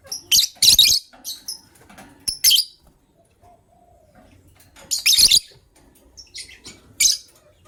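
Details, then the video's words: Gray and yellow-green lovebirds kept in a cage, heard in the morning while one readies to lay eggs; sharp squeaky chirps in quick groups, a brief low note midway, then more bursts. "Yellow Green Lovebird's melodious chirping sound"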